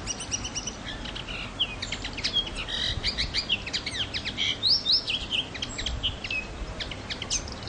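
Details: Common linnet on Pantelleria island, Italy, on 9 January 2011, giving busy twittering song: rapid dry chirps and short trills interspersed with upward-sweeping whistled notes, louder toward the middle, over a low background hum.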